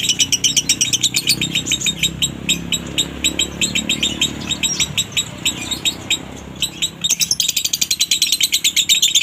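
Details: Lovebird song in the dry-toned minor konslet style, meant to provoke other lovebirds into singing: rapid high, chattering trill of sharp repeated notes, about four per second, continuous throughout, with a loud burst near the end over low background rumble.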